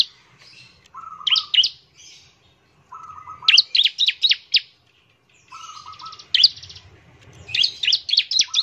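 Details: Bar-winged prinia song used to draw other prinias into singing: a low buzzy trill followed by a burst of sharp high chirps, repeated three times with pauses between.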